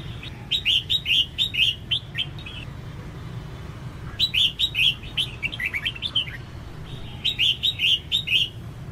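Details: Calls of a female red-whiskered bulbul meant to stimulate male song for training. Three separate flurries of quick, evenly spaced bright chirps about one second long, with pauses between and a low background hum.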